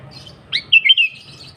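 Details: Sooty-headed bulbul (kutilang) in energetic 'gacor' song used to attract wild birds: one clear phrase of a quick rising note followed by three liquid, rolling whistles, with soft high twittering around it.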